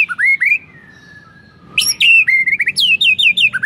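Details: Shama lure song for getting other shamas to sing: two rising whistles, a short pause, then a quick tumbling run of sharp high notes and falling whistles.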